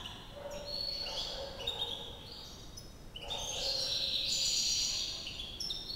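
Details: A white European goldfinch in Algiers, Algeria, sings a fast, tinkling, liquid twitter of high notes and brief trills, running almost continuously with a faint background hiss.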